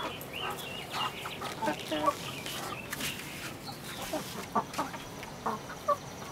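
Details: Chickens recorded 07-06-2016, a flock giving many short overlapping clucks and brief squawky notes, some higher tonal calls, busy and uneven throughout with scattered clicks and knocks in the background.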